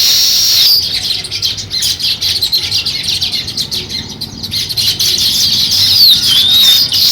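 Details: Busy, irregular chirping of sparrows at the start of nest building, short notes in quick succession over a constant shrill background hum. A wavering whistle appears toward the end.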